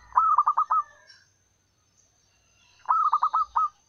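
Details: Wild local zebra dove, a lure call for attracting males: two rolling cooing phrases, each a stuttered series of five short notes, roughly three seconds apart, with faint high chirps of other birds in between.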